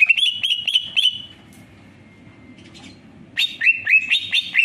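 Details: Greater green leafbird gives a quick series of ringing whistled notes, falls silent for about two seconds with only a faint thin tone, then bursts back into rapid bright whistles.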